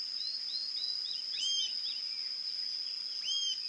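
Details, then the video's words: A Rufous-tailed Jacamar (Galbula ruficauda) sings thin, high, slurred whistles in a quick series, some rising then falling, over a steady high insect drone. "CANTO da ARIRAMBA-DE-CAUDA-RUIVA (GALBULA RUFICAUDA), RUFOUS-TAILED JACAMAR"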